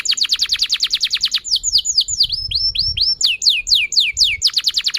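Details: Canary singing at length as a lure for young canaries learning sounds and for canaries that have stopped singing: a fast rolling trill, slower swooping descending whistles, then the quick trill again, with faint low background noise.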